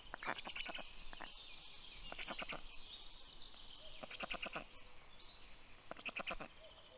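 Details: Black storks at the nest in Karula National Park, Estonia, early morning of 19 June 2023, as an adult brings food to the chicks. Short clusters of dry rattling pulses are spaced by brief pauses over steady high birdsong.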